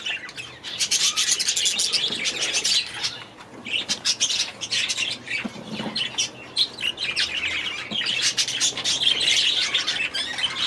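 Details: Several budgerigars in an aviary chattering continuously with dense, raspy, high chirps and warbles, briefly pausing around the middle before the busy chorus resumes.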